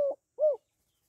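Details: Female spotted dove calling to stimulate males, given in the gọi, thúc and gù styles: a short low hollow coo, then a longer arched coo after a brief gap, and silence after.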